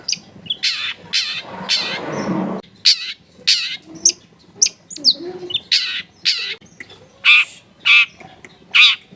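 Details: Long-tailed shrike in full, richly varied song with a clear voice, used to stir other shrikes into singing. Loud harsh rasping bursts alternate with short whistled and chattering notes, repeated roughly every half second.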